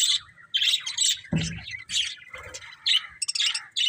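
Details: Budgies chirping in choppy buzzy phrases with squeaky notes, and a single low thud or knock partway through.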